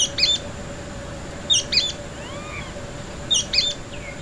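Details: Sooty-fronted spinetail (Synallaxis frontalis), song.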